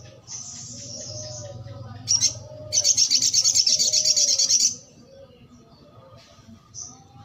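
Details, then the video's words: Brown-throated sunbird in lively song: a faint high whistle, a short sharp burst, then a fast buzzy trill of high pulses lasting two seconds, followed by a soft high note; low background hum. "sogok ontong gacor"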